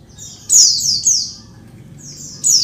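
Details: High buzzy descending chirps from a female Oriental white-eye calling to males, a few notes clustered early, then a pause and a fresh burst at the end.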